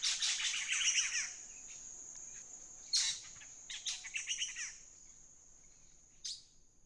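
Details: A black-headed saltator on a cool morning by the Huatulco River, Santa María Huatulco, Oaxaca, Mexico, gives its song: a harsh, noisy chatter of rapid buzzy notes in bursts that accelerate, over a steady high insect-like hiss.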